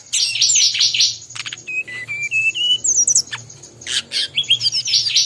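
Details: Brown-chested jungle flycatcher from Bali, singing actively amid other birds' voices: a quick burst of chattering notes, then clear whistled notes stepping upward in pitch, followed by sharp high chips, over a steady high thin whine.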